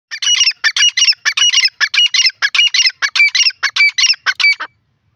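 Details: Grey francolin (dakhni teetar) calling in the forest: a loud, rapid run of harsh, shrill, squeaky notes in tight bursts, about a dozen in quick succession over four and a half seconds, then silence; no other sounds.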